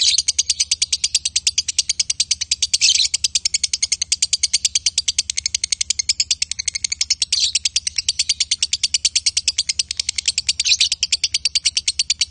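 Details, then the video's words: A male and female lovebird pair sustaining a long konslet chatter, a dense, relentless rattle of high, shrill chirps with a few louder swells along the way. "Love Bird Jantan & Betina suaranya Bagussss"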